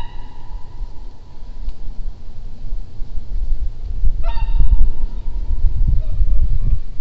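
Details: Whooper swans flying over Red Deer on November 30, 2014, at 9:52, give a few loud, trumpeting, horn-like notes, one slurring upward, spaced a couple of seconds apart over a steady low rumble of wind or distant traffic.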